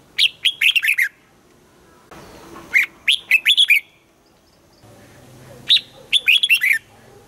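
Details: Caged red-whiskered bulbul practising its morning song, repeating a sweet whistled phrase three times, each of about six quick notes sliding down in pitch; faint background hiss and low hum in between.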